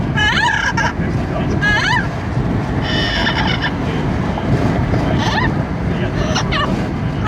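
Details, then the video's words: Pet Amazon parrot riding in a car, calling constantly into the wind: repeated nasal, wavering squawks rising and falling in pitch, several bursts spaced about a second apart, over a heavy roar of wind and road noise. "the Parrot riding in car, making noise in the wind"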